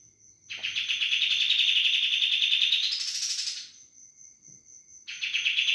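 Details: 'Roll bren' song of a sooty-headed bulbul, described as very noisy: a long unbroken rattling buzz that rises sharply near its end, a quiet gap with a high pulsing tone, then the roll starting again.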